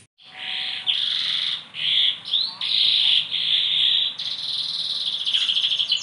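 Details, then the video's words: Bottle-green canary holding sustained buzzy high notes in separate bursts, some rising, against a noisy background hiss. "Kenari Ijo Botol materi edan"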